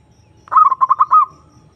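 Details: Zebra dove, known locally as perkutut, calling out to a rival bird: one quick phrase of about six rapid, rolling coos ending in a slightly longer drawn note, clean and loud.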